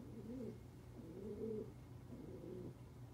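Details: Captive tawny frogmouth, normally caged, let out indoors among free-flying birds and not moving much, gives three low, soft, cooing hums, each about half a second long and roughly a second apart, in a quiet room.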